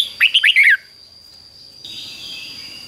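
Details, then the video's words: Red-whiskered bulbul singing the fig-jig-fok doubled "beun" style used to teach young birds; a rapid run of five chirpy, descending whistled notes, followed by silence and then a hissy background with a steady hum. "นกเบิ้ลอาชีพง่ายๆ ฟิก-จิก-ฟก ล้วนๆ เปิดไห้ลูกนกฟังทุกวันติดแน่นอน"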